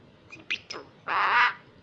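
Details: Young female common myna in Israel, raised by people and learning Hebrew: three quick squeaky chirps followed by a loud, harsh, buzzy half-second squawk.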